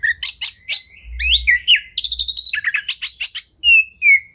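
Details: Oriental magpie-robin (kacer) training song, full 'isian tembakan' style: crisp clear whistles, fast rattling chip series and rising slurred notes, ending with two drawn-out descending whistles.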